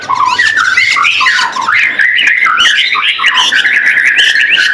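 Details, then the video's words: White-rumped shama, a kept bird, pours out a dense, loud medley of jumbled whistles, harsh squawky notes and rapid twitters with no pauses. "Murai Batu gacorrr"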